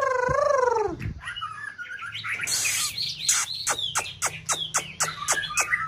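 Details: White-rumped shama used to stimulate another bird to sing, in peak season; a wavering lower whistle opens, followed by fast repeated sharp chirps and bright high twitters.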